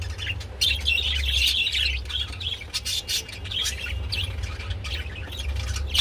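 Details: Budgerigar pair mating, giving dense squawky warbles and clicks in quick succession, a scratchy chattering stream over low hum.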